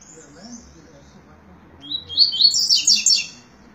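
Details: Double-collared seedeater singing in the tui-tui style: after quiet, a brief sweet phrase of high, slurred whistled notes rising then warbling, lasting under two seconds, over low faint background noise.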